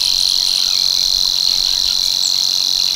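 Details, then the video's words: Male Savi's warbler in its breeding marsh at Tancat de l'Illa, l'Albufera, pouring out a monotonous, high, insect-like reel that stays even and unbroken from start to finish, with almost no other sound. "BUSCARLA UNICOLOR en el Tancat de l'Illa - Parte 1 | 🎵 CANTOS DE AVES"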